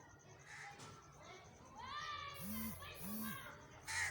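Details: Tawny eagle (Aquila rapax), a falconry bird, giving a few harsh, raspy, barking calls in quick succession, with a low hum and faint voices in the background.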